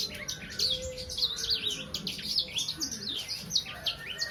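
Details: Sangihe hanging parrot of about three months, singing a quick, high, warbling twitter of looping chirps in unbroken succession, over a faint low whistle in the background.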